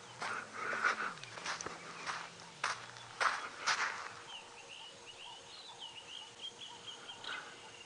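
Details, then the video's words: Starlings alarm calling in the African bush at dawn on 19 December 2016 during a safari drive tracking a male leopard; they may be alarming at the leopard, a slender mongoose or a bird of prey. Harsh rasping bursts, then squeaky chattering, over engine hum. "There's some starlings alarm calling."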